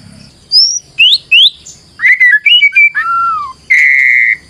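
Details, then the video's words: White-rumped shama song used as a lure: separate clear whistles, rising and slurred, a sagging lower note, and a final long steady whistle. "PANCINGAN MURAI BATU GACOR"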